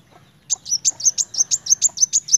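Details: Sunbird, locally called kolibri wulung, singing actively in a rapid 'narung' style: a fast series of sharp, high, piercing chips about five per second after a brief quiet start, with a low hum underneath.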